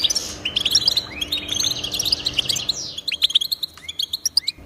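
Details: European goldfinch delivering a dense, liquid twitter of chirps and rising slurred notes that loosens into separate sharp tweets toward the end; used to encourage pet goldfinches into song.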